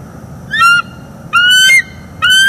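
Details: Bald eagle pair calling at their northeast Florida nest on the morning of 25 October 2021, recorded by a live nest camera around mating. Three clear, piping whistled notes, each slightly rising, come about a second apart over faint background hiss.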